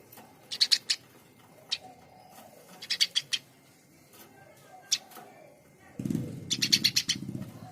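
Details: Eurasian tree sparrow: scattered short chirps in small bursts of two or three with gaps between them. A low rumbling noise starts in the last two seconds under a final cluster of chirps.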